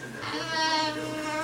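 A Moluccan cockatoo holds a drawn-out, rich, bleating note in a sing-song imitation of a birthday tune, with a person singing along.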